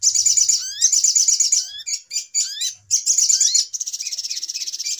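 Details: Little spiderhunter trapping lure: bursts of high chattering mixed with rising whistled slurs in short phrases, ending in an even, fast pulsing trill.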